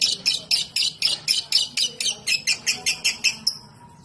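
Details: Lure call of a lovebird in ngetik style: a steady run of around fifteen raspy high chirps, about four each second, ending abruptly with a brief thin whistled tone.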